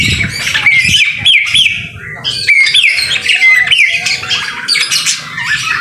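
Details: White-rumped shama in strong song amid rain, recorded as a training masteran: quick hooked whistles repeated in short bursts, scratchy chirps and high squeaks, with brief pauses and steady low rumbling noise.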